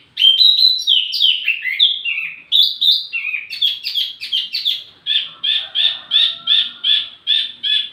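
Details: Wambi mini song serving as lure and tutor audio: a varied, slurred warble of high squeaky notes, followed by a steady series of about ten clear, evenly spaced chirps.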